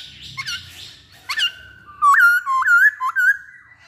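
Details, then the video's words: Masked laughingthrush in lively song: clear whistled notes around a steady tone, then a loud series of three rising, looped whistles in close succession, with a few softer calls at the start. "Burung Poksay Hongkong Gacor"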